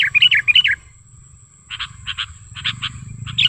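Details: Sooty-headed bulbul lure call, natural wild recording for luring bulbuls: two quick bubbly warbled phrases, a pause, then short separate chirps over a low rumbling background.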